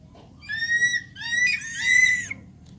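Javan pond heron giving a nasal, squealing whine in three quick, slightly rising phrases over about two seconds, with a low background hum.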